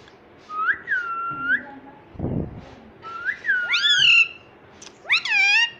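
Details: Pet ringneck parrot, known as a talker, makes clear whistled notes: flat tones with upward flicks, a brief rustle, then louder, shrill, sweeping whistles in quick bursts.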